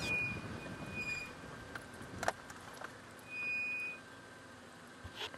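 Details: Outdoor vehicle noise with a steady high electronic whine that comes and goes, plus a few sharp clicks; no animal calls stand out.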